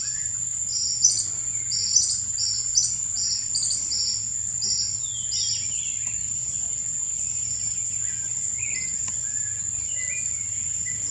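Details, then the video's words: Common Tody-Flycatcher (Todirostrum cinereum) in a hotel botanical garden beside a lagoon around 5 pm, giving a quick run of high, sharp chipping notes, about a dozen in three seconds, over a steady shrill insect drone. "Common Tody-Flycatcher - Todirostrum cinereum"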